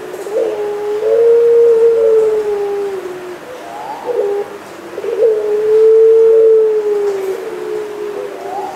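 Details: A Barbary dove of the pelung type coos twice in succession, each a long, low, drawn-out hum lasting a few seconds, slightly rising then falling, with a short soft note between.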